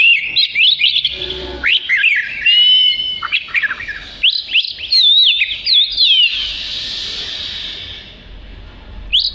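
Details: Oriental magpie-robin singing steadily, its loud song kept as fill material for training other birds: dense, high, twisting whistled notes in quick succession, then a fading, hissy tail with one last short phrase.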